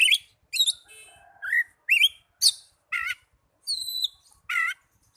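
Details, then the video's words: Oriental magpie-robin singing in a therapy recording for young or non-singing birds: separate loud phrases of looping whistles and trilled, buzzy notes, each about a third of a second, with short pauses. "Terapi burung kacer muda dan kacer macet bunyii"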